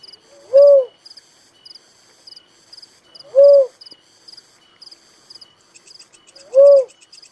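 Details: Little cuckoo-dove gives a single low, hollow, arched coo about every three seconds, three in all, over a continuous high, pulsing insect buzz.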